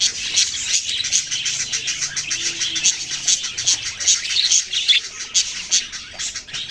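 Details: Young budgies keep up a busy, twittering chorus of rapid, overlapping high chirps and squeaky notes, about two or three bursts each second, uneven in rhythm.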